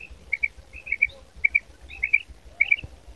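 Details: Calling female quail (maadi batair): crisp high paired chirps, each pair quickly repeated, recurring about every half second in an uneven rhythm, with a low dull rumble underneath.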